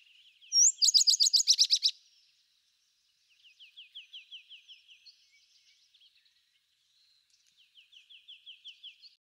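A sparrow gives a loud burst of rapid, high chirps, then two softer, fast trills of repeated down-slurred notes, each lasting about two seconds.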